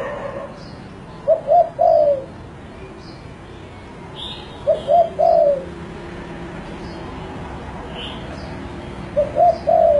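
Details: Spotted dove (tekukur) cooing: three-part phrases of two quick coos and a drawn-out descending coo, repeated about every four seconds, over a steady background hiss with scattered faint chirps of other small birds.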